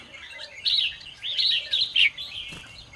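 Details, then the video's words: Lively red-whiskered bulbul morning song, 'ché' style: a steady stream of loud, bubbling whistled notes in several rising and falling phrases over a faint background hiss. "chào mào hót sáng QUÁ HAY - CHÉ KÍCH BỔI CĂNG ĐÉT"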